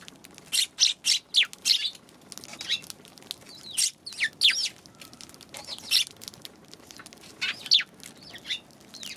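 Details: Eurasian tree sparrows recorded on 11 January, giving spaced single and paired high chirps, some in quick runs, against a quiet background.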